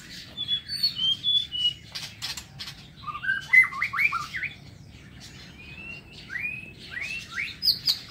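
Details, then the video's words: Morning song of a white-rumped shama kept in an aviary: high thin notes, then a run of rapid whistled slurs and rising fluty phrases, ending with bright high whistles. "Tiếng Chích Chòe Lửa độc lạ hay"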